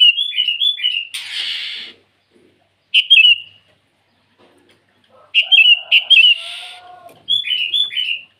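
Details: Sooty-headed bulbul calling rivals in the morning: runs of bright, bouncing whistled notes in quick groups, broken by short bursts of harsh hissing noise, with pauses between the groups.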